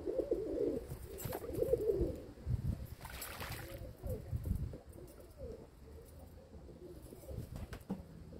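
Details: Domestic pigeons kept by their owner, recorded 27 May 2022, open with a strong low rolling coo, followed by quieter murmured coos and a brief rustle or flutter around three seconds.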